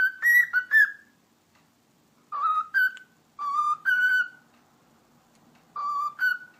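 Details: Whistling from a pet cockatiel: short bursts of two or three clear melodic notes separated by pauses of one to two seconds, in a quiet room.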